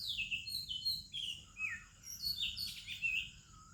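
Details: Oriental magpie-robin singing at dawn-time in India with other birds: clear descending whistles followed by a fast jumble of chirps and a soft low whistle at the close.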